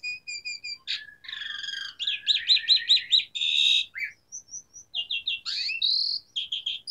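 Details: Asian pied starling in vigorous song with varied fill-in phrases: level high whistles, rapid chattering trills, a harsh buzzy burst, sliding whistles and squeaky repeated notes, loud and continuous.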